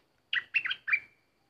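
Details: Bulbul singing as a decoy bird, with an uninvited intruder nearby. A short, bright phrase of three rapid, rolling whistles, the last one trailing out thinly.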